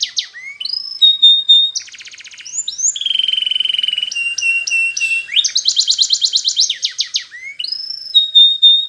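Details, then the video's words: Canary singing a training song, varied and continuous: falling whistles, a rapid rattling trill, a sustained buzzy tone, then quick repeated sweeping syllables and clear high whistled notes. "Best Canary Sounds!! Suitable for training your canaries"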